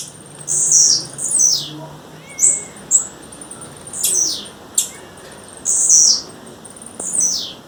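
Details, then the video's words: Wild female blue-black grassquit giving a series of high, hissing, down-slurred buzzes roughly every second, mixed with brief sharp clicks and one faint lower whistled note. "Tiziu fêmea, fêmea de tiziu chamando na natureza"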